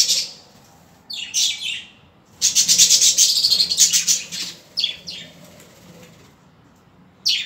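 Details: Budgerigars making scratchy chirps, then a fast buzzy rasping run of rapid pulses lasting about two seconds, followed by more chirps.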